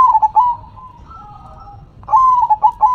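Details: Zebra dove (perkutut) in manggung song: a loud run of quick, bubbling cooed notes, a quieter gap with faint cooing from another dove, then another fast stuttering phrase ending in a drawn-out coo.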